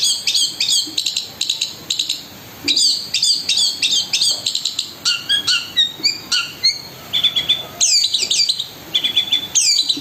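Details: Long-tailed shrike (cendet) in full song, mixing 'kasaran' rough fillers and rapid 'tembakan' bursts: high chirps, scratchy notes and short whistled phrases, with brief pauses between bursts, in a quiet indoor setting.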